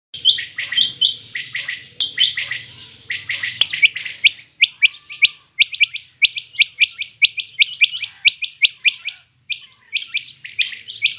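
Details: Quail calling, a busy run of sharp chirped notes that overlap at first and then come as separate clipped notes about once a second.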